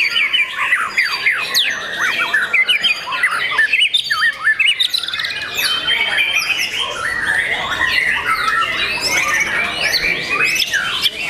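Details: Caged young white-rumped shama delivering a rich, nonstop song of fast whistled sweeps, rattles and squeaky notes, with a brief dip in loudness around the middle before the phrases resume.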